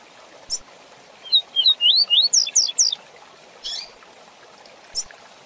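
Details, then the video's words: Song of a rusty-collared seedeater in the fast tui-tui zel-zel style used to teach young birds: a short buzz, then a rapid run of about eight whistled slurs ending in high downward strokes, followed by two scattered buzzy notes. "Canto Tui Tui Zel Zel Rápido Para Encarte de Coleiros e Papacapim"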